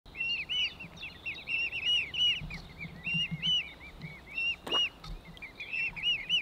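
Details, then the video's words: Mute swan cygnets cheeping while moving through the water feeding with their parents, late May 2023: high, thin, arched peeping notes in quick overlapping bursts from several young, with soft splashing and low background rumble. "Adorable Sounds of Swan Cygnets"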